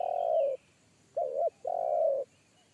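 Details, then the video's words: Spotted dove in forest, giving a big bass call of the single-kuk type. Long full coo, pause, a brief wavering double note, then another long steady coo. Faint high-pitched bird notes sound behind. "PIKAT AJARAN T4KUT MENDENGAR SUARA TEKUKUR INI‼️SUARA BESAR NGEBASS"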